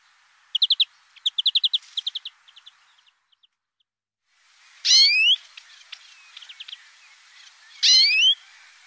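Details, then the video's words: A European greenfinch sings fast, bright twittering trills, then gives two loud, harsh, wheezy notes a few seconds apart; no other sounds stand out. "green Finch singing"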